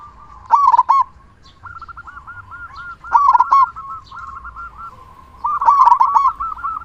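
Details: Local zebra dove with a big voice, used to coax silent doves into singing; short loud bursts of quick, rolling coos repeat about every two and a half seconds between fainter trilled cooing.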